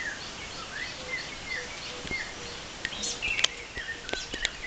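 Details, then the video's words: A Blue-shouldered Robin-Chat (Cossypha cyanocampter), well concealed in leaves at Bandjoun in mid-October 2010, sings soft, slurred whistles repeated in quick succession, with sharper chirps near the end over a steady background hiss. "Blue-shouldered Robin-Chat (voice)"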